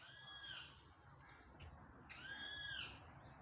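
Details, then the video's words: A peacock gives two loud, ringing wails, each under a second long and about two seconds apart, with soft background rustle between them. "peacock sound"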